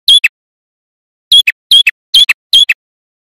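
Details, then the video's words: Male prinia song played to lure wild birds for trapping. One short chip pair, a pause, then four rapid sharp doublets, each a high squeaky whistled note followed by a lower clipped chip, on a silent background. "Suara Prenjak Kepala Merah Jantan Gacor"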